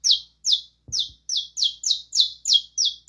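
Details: A saffron finch sings eight or nine bright, falling chirps in quick succession while a short low knock sounds near the first second.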